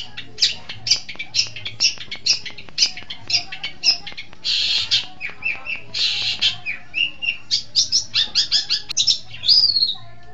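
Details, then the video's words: Long-tailed shrike lure recording for training birds: an unbroken stream of quick varied chattering notes, two longer rasping buzzes in the middle, then a rapid run of clipped notes ending on a falling whistle. "Masteran Suara Pentet Cendet"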